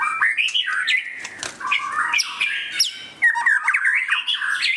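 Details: Displaying white-rumped shama in full song, with dense, tumbling whistled phrases, buzzy notes and rapid chatter, almost without a break.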